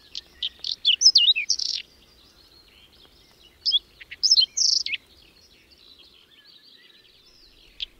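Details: Whinchat (Saxicola rubetra) at a breeding site in open meadow on the edge of Domzhyritsy village, Berezinsky Biosphere Reserve, during a sudden cold, windy May snowstorm, sings two short, varied phrases of scratchy, twittering notes with high whistles, separated by near silence.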